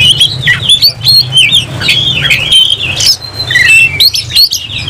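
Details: Caged oriental magpie-robin in full song while fighting, tail spread and agitated: rapid varied whistles and chattering notes, mostly high and sliding, with scratchy clicks and a steady low hum underneath.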